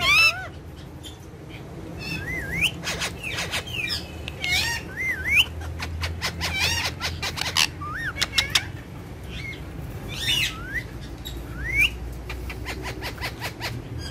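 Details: A pair of tame Indian ringneck parakeets, friendly companions described as dancing and talking, make looping whistled squawks and scattered sharp clicks against a constant low droning hum.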